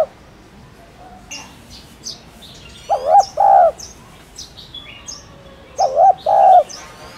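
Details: Spotted dove cooing, a recording meant to spur newly caught doves to coo: two low, hollow two-part coo phrases spaced about three seconds apart, with thin high chirps from other small birds scattered throughout.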